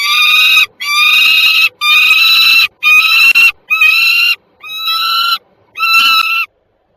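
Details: Peregrine falcons, a pair at Żerań in Warsaw, recorded 26 September 2022, giving loud drawn-out harsh wails, seven in about seven seconds, each lasting most of a second with short gaps between them.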